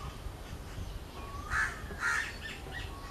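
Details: Jackdaw in a forest giving two loud, abrupt, harsh call notes about half a second apart, over faint whistled notes from another bird and a steady low background hum.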